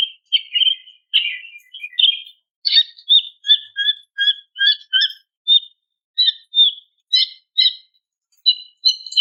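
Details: Female greater green leafbird calling to a male: a series of short, clear chirped notes, some paired with a lower tone, repeated about twice per second with brief gaps, no other sounds.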